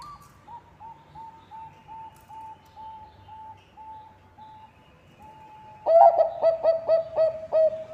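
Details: Zebra dove of the Bangkok type, an active singer kept as a lure to prompt other birds: faint evenly repeated short coos for several seconds, then a sudden loud burst of quick, ringing cooing notes in steady rhythm.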